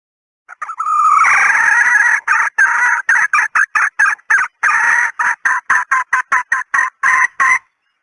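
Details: Female red junglefowl call used as a hunting decoy: a drawn, slightly rising note, then a fast series of short, harsh clucking notes, about twenty in six seconds, with no other sounds.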